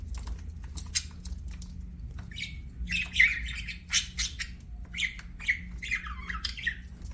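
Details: Chirping pet budgerigars: scattered clicks and squawks building into bursts of scratchy warbling chatter with short rising and falling whistled notes, a quiet electrical hum underneath.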